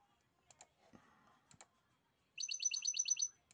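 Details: A wild field European goldfinch gives a fast run of about eight bright, tinkling "ling-ling" notes in under a second, after a few dry clicks and faint background noise.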